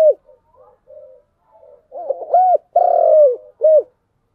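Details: Soft muffled cooing builds into one full phrase from a spotted dove in 'giọng đồng' style: two arched coos, a long steady coo that drops at its end, then a crisp short coo.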